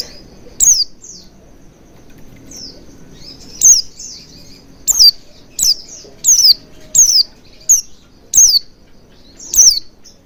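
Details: Oriental white-eye lure for making birds sing: faint, softer high notes at first, then a steadier run of sharp descending tsee calls roughly every half second to the end.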